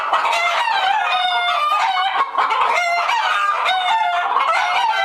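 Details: Alarmed hens packed in a henhouse, many birds screaming and cackling together in long wavering notes over fast clucking, a dense steady racket with one brief dip.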